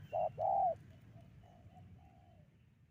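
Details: Spotted dove call used as a trapping lure. Two loud, soft coos, a short one and then a longer one, are followed by fainter, quieter coos trailing off.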